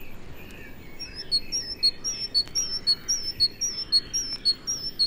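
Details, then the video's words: In early January in British broad-leaved woodland, a great tit sings its chiming song, a bright, high, ringing two-note phrase repeated steadily about twice a second over a faint hiss, an early promise of spring. "One of the promises in early January of a spring that may still be far away is the gay chiming song of the great tit."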